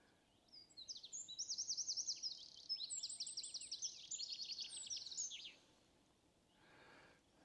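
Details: Eurasian wren singing high near the top of a tree in forest near Viksefjorden, Sveio, Norway, on a warm, windless early-May morning: a loud, high, rapid song of trills and sharp notes for about five seconds, then a faint soft rush.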